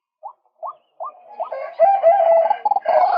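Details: A male white-breasted waterhen used as a lure gives four short upslurred notes, then breaks into a loud, rough, harmonic-rich croaking phrase.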